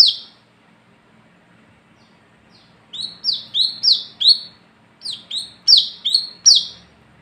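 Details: Olive-backed sunbird (wiceh, kolibri kelapa) singing at night in lively 'ngalas ngeplong' style, a recording used as a lure to call other sunbirds; after near silence, two bursts of sharp, high, downward-sweeping notes repeat about twice per second.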